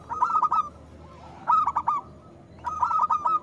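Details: Vigorous local zebra dove song, played to prompt other doves to sing: three loud bursts of rapid, bubbling coo notes spaced roughly a second apart, with faint hiss beneath.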